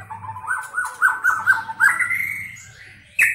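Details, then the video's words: Medan-type White-rumped shama kept as a songbird, described as fast-singing and trained with canary and lovebird material: a run of repeated whistled notes stepping upward in pitch, ending in a sudden sharp higher note, with low hum beneath. "Murai Batu Medan speed cepat"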